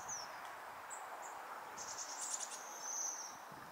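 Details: Several waxwings visiting a tree to eat berries in December 2023 give thin, very high, sibilant trills, several overlapping buzzy notes, over a steady low background hum.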